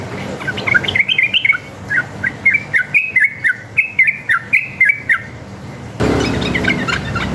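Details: Sooty-headed bulbul singing a long, continuous, rapid 'ropel' style song used as a lure so other bulbuls answer: bubbly whistled chirps rising and falling, phrases repeated several times a second, ending with a burst of broadband noise.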